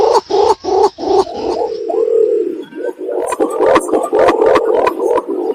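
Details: Green imperial pigeon, called pergam, sounding as a lure for hide hunting: deep, throaty notes repeated rapidly, a longer low drone in the middle, then more hollow pulsing notes that overlap.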